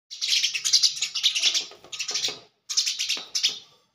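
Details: Sparrow in the Thar desert fighting its own reflection in a mirror, giving a dense burst of rapid high chirps and chattering notes, a short pause, then another excited chirping burst, in a small room.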